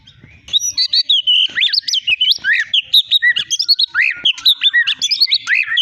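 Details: Caged long-tailed Medan white-rumped shama, a champion of many songbird contests, pouring out a rich, varied repertoire. A rapid, unbroken stream of whistled, sweeping and trilled notes, mostly high-pitched, with phrases changing every fraction of a second.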